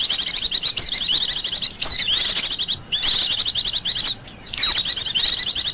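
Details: Song of a wild Japanese white-eye, used for luring and master song: long strings of shrill rapid chirps mixed with sweeping slurred notes, sustained phrases with short breaks.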